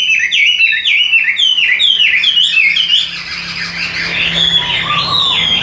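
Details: Hand-carried tame Chinese hwamei delivering a strong, even song: a chain of downslurred whistled notes in quick succession, followed by a softer warbling passage and a faint low hum.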